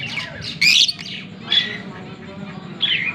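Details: A green pair of Fischer's lovebirds, recorded October 16, 2023, gives three short, shrill chirps spaced about a second apart, with quiet gaps and a faint low background hum between them.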